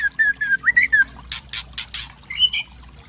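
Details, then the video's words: Mottled 'trotol' white-rumped shama singing on a provoking lure recording: a string of clear whistled notes, then four harsh noisy crackles, and a short rising whistle at the end. "Pancingan murai trotol memancing emosi bunyi gacor variasi kretekan keras murai trotol"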